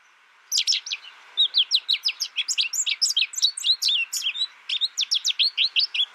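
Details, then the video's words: Captive American goldfinch, raised in isolation through its first year and learning from a recording without other birds, sings a fast, unbroken run of high, bright, varied twitters and chirps over a faint indoor hum. "My American Goldfinch sings a tutor calling birds, goldfinch excitation to sing,goldfinch chirping"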